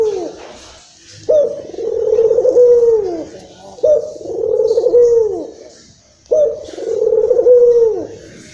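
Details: Barbary dove, the local puter, giving its rolling coo to excite other doves. Three evenly spaced phrases arrive roughly every two and a half seconds, each a clipped upward start leading into a long, throaty, slightly falling hum.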